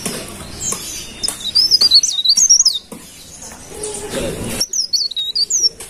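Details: Golden-bellied gerygone singing brisk, high, wavering whistled phrases, one early and a shorter one at the end, with rustling and soft knocks in between.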